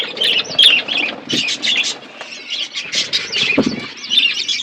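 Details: Several budgies chirping as they eat: rhythmic, repeated high squeaky notes and warbles over soft rustling, with a few short whistled tones standing out.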